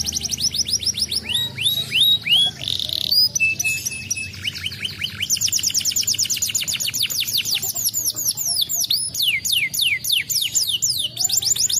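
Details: Canary song used to prompt other canaries to answer: rapid trills of fast descending notes, switching between rolled series and sweeping whistles, continuous high-pitched phrases throughout.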